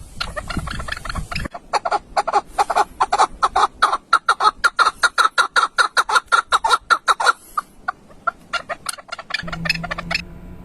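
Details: A partridge in early spring gives a long run of harsh, clucking chuck notes, about two or three a second, in a thin, fairly high voice, with a low hum at the end.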